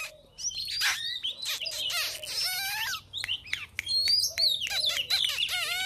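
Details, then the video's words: Oriental magpie-robin used as a lure bird for fighting birds, pouring out a loud, dense jumble of whistles, chattering notes and harsh fragments, with a steady low hum underneath. "chòe than mồi đấu xòe không xù"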